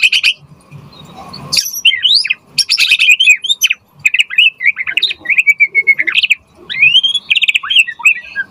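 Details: White-rumped shama (murai batu) in full, vigorous song, used as a lure to provoke a quick answer and to tutor other birds. Loud, varied whistles and rapid chattering phrases mixed with slurred rising notes and short pauses.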